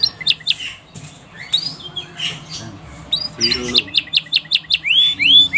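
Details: Canary song used to stimulate other canaries to sing, with scattered chirps and short upswept notes, then a fast series of sharp repeated upslurred notes near the end; low background hum.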